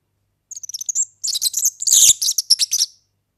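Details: European serin song meant for tutoring young birds: a fast, jangling, high-pitched run of buzzy chirps and trills lasting about two and a half seconds after a short pause.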